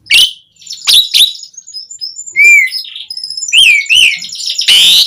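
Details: Asian pied starling song used as a lure to make captive birds sing: harsh broadband bursts mixed with clear whistled notes and rising-falling slurred whistles, irregular phrases with brief pauses.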